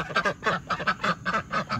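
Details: Two pet domestic ducks giving their very excited call: a rapid run of harsh, nasal quacks, about four a second, eager and jostling, as they come straight over. Laughter is heard behind.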